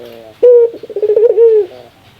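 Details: A single ringneck dove laugh, counted as its rarest sound: an abrupt loud note, a flurry of rapid throaty pulses, then a smooth falling hoot fading into quiet.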